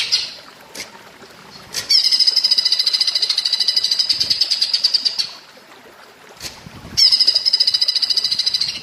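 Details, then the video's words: Cucak ijo in platuk bawang style on a bird-training recording, with two long bursts of high, fast, rattling repeated notes separated by a quiet pause, then a third burst starting near the end. "Masteran cucak ijo rasa platuk bawang"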